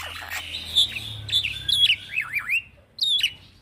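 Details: Zigzagging whistled phrases from a young male Black-winged myna, recorded as a master song for training other birds: wavering high notes rise and fall in a warbling run, with a low hum beneath.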